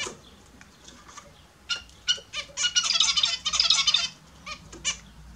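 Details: Captive Australian zebra finches bathing in the morning: a few short nasal calls, then a burst of broadband splashing and fluttering with calls mixed in.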